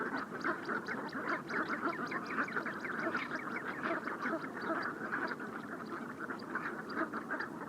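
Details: Brent geese wintering on the Bassin d'Arcachon, taken by parabolic microphone at dusk on a rising tide after a boat had flushed them; dense, continuous chatter of many overlapping nasal calls from a sizeable flock.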